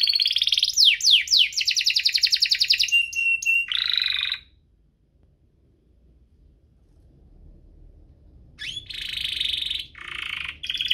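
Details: Canary song used to spur canaries into singing and tutor young birds: buzzy rolls with quick descending slurs and a flat whistle, a pause of about four seconds with faint background hum, then further buzzy rattles.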